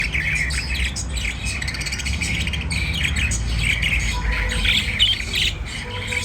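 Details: Budgerigar, a white diamond budgie, chattering continuously with busy overlapping chirps and short warbled notes, high and scratchy, a dense rapid stream without pauses over a steady low hum.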